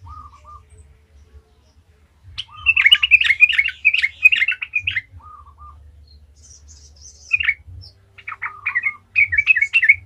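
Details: Sooty-headed bulbul in full 'gacor ngalas' song, played as a lure to prompt other bulbuls to sing: a dense two-second run of quick warbled notes, then broken chattering phrases, over a faint low hum.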